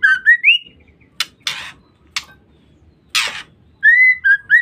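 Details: Female white-rumped shama luring males: clear slurred whistles rising and falling, separated by short harsh rasping bursts, then more drawn-out whistled notes.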